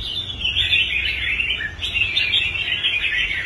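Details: Restored competition red-whiskered bulbul pours out a continuous, fast-rippling warble that barely pauses, with a faint higher hiss running throughout.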